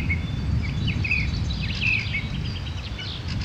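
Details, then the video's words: Two European goldfinches feeding on nuts and seeds in grass give scattered, high, tinkling twitters and short chirps at an uneven pace, over a steady low rumble of background noise. "Goldfinches - Stieglitz/Distelfink"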